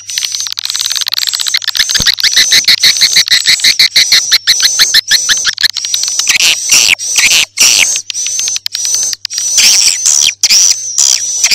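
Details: Swiftlet-house lure sound of edible-nest swiftlets for morning, noon and night: a rapid buzzy stream of tiny clicks and chirps under a high whistle, turning into louder separate twittering bursts toward the end.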